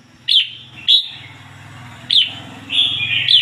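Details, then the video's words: Red-whiskered bulbul used as a decoy bird, 'ngoi bổi' song style: short bright whistled notes repeated roughly every second, with a low droning hum underneath throughout. "chim chào mào mồi hót ngoi bổi giọng chuẩn"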